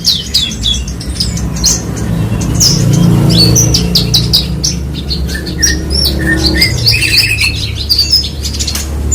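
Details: Horsfield's bush lark (branjangan) singing a rapid, varied stream of high chirps, short whistles and trills, with a steady low hum underneath.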